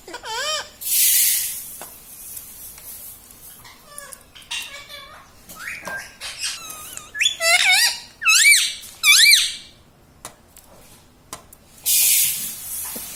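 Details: Pet rose-ringed parakeet indoors in a small room, attempting talk: a string of harmonic, rising-and-falling warbled notes in bursts, with two loud broadband hissing bursts near the start and end.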